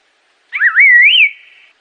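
An Assam laughingthrush gives one clear, wavering whistle lasting about a second. It dips and then rises to a bright upslurred end against silence.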